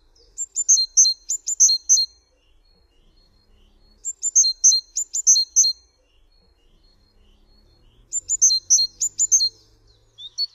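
A Great Tit sings three bright stanzas of repeated two-note phrases, high and ringing, about four pairs each, with pauses of roughly two seconds between stanzas.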